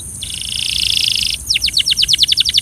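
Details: Belgian canary song meant for training birds: a long, even, buzzy trill that grows louder, broken off by a quick series of bright swooping notes, each dropping sharply in pitch.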